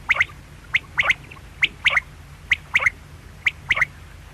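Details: Quail calling: short, sharp, high notes in quick clusters of one to three, each cluster about a second apart, over a quiet background.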